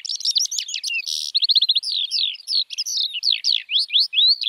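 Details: A lark pours out fast, varied twittering, broken early by a brief rattling trill of rapid repeated notes, then sweeping whistles and chirps that keep the high song flowing without real pauses.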